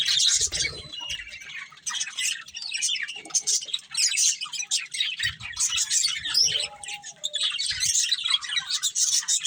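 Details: Budgies, a breeding pair, warble and chirp steadily: a stream of grating high notes and quick tweets with small dips in loudness, plus faint low bumps and a soft mid-pitched whistle.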